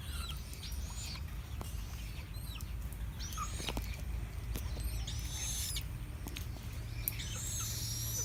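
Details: A Chinese blackbird delivers scattered high whistled phrases, some swooping and some hooked, spaced every second or two, among occasional sharp clicks and a continuous low droning noise.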